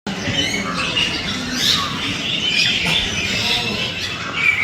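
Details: Many birds gathered in a banyan tree, chirping and squawking together in a dense, continuous chorus of overlapping high, harsh and twittering notes, with a faint low rumble underneath.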